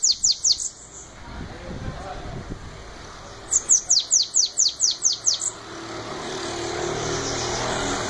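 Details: Shiny cowbird, a Belgian-style batendo song, recorded beside speech: two bursts of rapid high descending whistled notes, three notes then about nine in quick succession, with a man talking and traffic noise between.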